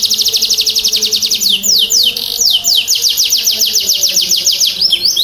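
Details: Canary song aimed at coaxing silent canaries into singing: a rapid run of high descending notes, breaking into slower sweeping slurs, then back to a quick even trill, with a low background hum.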